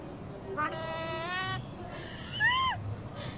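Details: Common myna mimicking a human voice: a drawn-out harmonic vocal sound, then a short rising-falling whistled note, over steady background hum.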